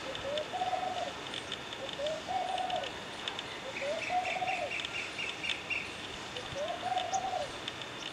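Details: A laughing dove on a rusty pole in the morning gives four soft, bubbling coo phrases, each rising then levelling, spaced a couple of seconds apart; faint high chirps from another bird sound mid-way.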